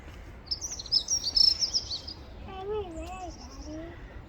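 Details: Female Pied bushchat giving a rapid cluster of high, squeaky chirps, followed by a lower wavering, harmonic cry from another source and a few fainter high notes.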